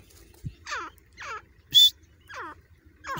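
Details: Grey francolin (Ortygornis pondicerianus) chicks in Layyah give harsh, scratchy, falling chirps about every three-quarters of a second, with one sharp high click partway through.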